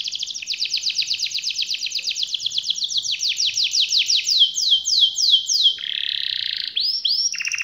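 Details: Canary in full rolling song: a long series of fast sliding chirps that gradually slows into distinct downward sweeps, then a buzzy lower rattle and a final rising whistle.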